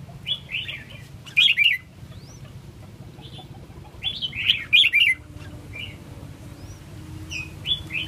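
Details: Red-whiskered bulbul singing short, bright warbled phrases of three or four quick liquid notes, given in bursts every couple of seconds with quiet gaps between; a faint low hum sits underneath.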